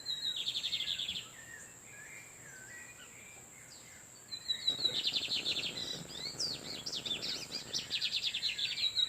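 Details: In the wild, male lined seedeaters answer one another while a female incubates: a brief rapid trill, a pause, then a long stretch of fast buzzy pulses and sharp upslurred notes, with a continuous thin whine behind.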